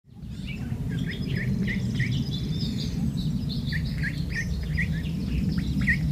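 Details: Four ducklings out for a walk peep steadily: short high descending chirps repeated every third of a second or so, sometimes overlapping, over a constant low outdoor rumble.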